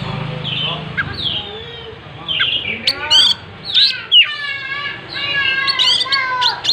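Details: Oriental magpie-robin (kacer) singing vigorously while spreading its tail: varied clear whistles and sliding notes, some rising and some falling, in short bursts with brief gaps. A low voice-like hum sounds at the start.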